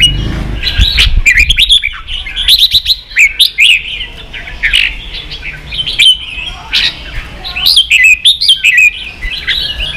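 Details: Red-whiskered bulbul kept as a cage bird, provoked into competitive singing: bursts of loud, bright chirping phrases with warbled notes and sharp upward flicks, broken by short pauses, continuing throughout.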